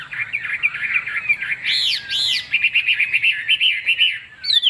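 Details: Chinese hwamei, a glossy, fig-leaf-tailed bird for sale in Vietnam, warbles busily, inserts two loud rising-falling whistled notes, then continues with quick, choppy repeated phrases.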